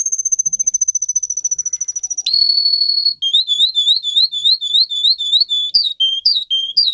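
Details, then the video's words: Russian singing canary, a song for teaching young canaries: a fast, even high whistled trill, then a sustained pure tone, then quick repeated rising notes rolling on steadily. "Canary how to sing listen and teach young Canary"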